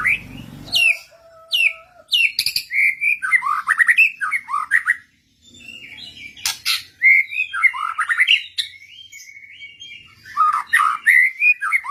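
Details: Other white-rumped shamas answering a lure recording; a varied, loud song of whistled and warbled phrases, mixed with harsh, noisy notes, broken by short pauses.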